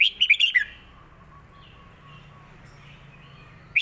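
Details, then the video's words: A caged red-whiskered bulbul clearly sings a "rik" southern-style song: a quick phrase of four or five bright, bubbling whistled notes, then a faint low hum and the first note of the next phrase. "นกเสียงทอง ร้องริก/เพลงใต้แม่บทชัดๆ"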